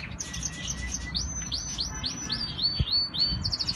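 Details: Canary from a singing collection in Islamabad, Pakistan: a loud, high series of rising swept whistles repeated about four times a second, ending in a quick trill, with faint chirps from other birds behind.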